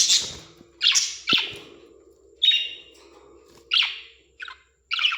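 Australian parrots give harsh, scratchy chirps and squawks in short bursts, a second or so apart.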